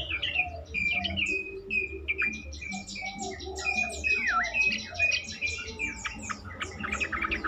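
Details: Yellow-vented bulbul song used as a lure to get other bulbuls answering and singing more: dense overlapping bubbly, slurred whistled phrases and quick chirps, with several birds seemingly calling at once.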